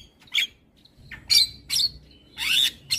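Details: Morning song of a black-winged starling, used as training for other birds: sharp high squawking bursts about every half second, separated by brief silences, with one rising note.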